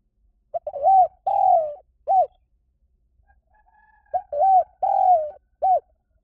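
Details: Cooing of a spotted dove, used as a lure: two identical phrases, each a brief lead-in note, a looped coo, a drawn-out descending coo and a clipped final note. The surroundings are otherwise silent.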